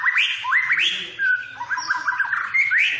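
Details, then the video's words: White-rumped shama full song played as a lure to get other birds singing: rich whistled phrases rising sharply, slurred notes and short warbles in quick succession, with a faint low background hum. "pancingan burung murai full isian"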